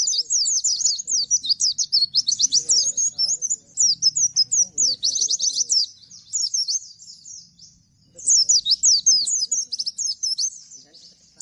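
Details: Bustomi, apparently caged, sings in rapid answer to another bird: dense bursts of high, sharp, scratchy chirps and slurred notes, packed in quick rolling runs with brief pauses near 6 and 8 seconds; faint low murmur beneath.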